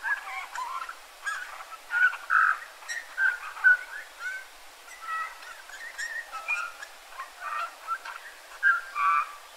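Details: Eurasian bullfinch in a yard setting in Joroinen, Finland, giving mellow, low piping whistles and brief creaky notes in loose bursts, with a few louder fluty calls standing out every second or so.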